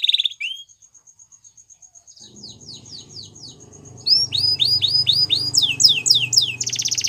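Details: Waterslager canary song: a brief whistle and soft ticking, then a series of bright downslurred whistles and a dense rapid trill over a low background rumble.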